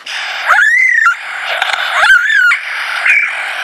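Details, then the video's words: Lyrebird showing off his range of sounds, including a natural laser-like call: loud whistles that rise and then fall away, repeated about every one and a half seconds over a steady hissing background. "lyrebirds repertoire as he puts on a show for me"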